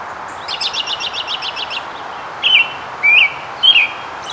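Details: American robin foraging and collecting nest material; a fast series of thin repeated chips from another bird opens, followed by three loud whistled, rising-and-falling robin phrases over background hiss.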